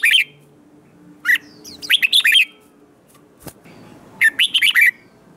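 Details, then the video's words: Red-whiskered bulbul in competitive singing to stimulate newly caught birds: short bright warbled phrases of rapid rolling whistled notes, separated by pauses, with one sharp click in between. "Kích Chào Mào Hót Ché/ Kích Chào Mào Bổi Hót Đấu Mới Nhất / 100% Căng Lửa / Nghe Là Phải Đấu"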